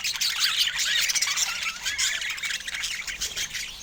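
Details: Pet budgerigars giving busy chatter: rapid, overlapping high warbling notes and squawky chirps, fairly steady in loudness throughout, with no other clear sounds.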